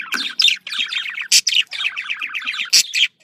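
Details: Budgerigar chatter meant to bring pet budgies into breeding condition: dense twittering runs of quick, slurred, rasping notes, punctuated by several sharp, noisy squawks, then a brief pause at the end.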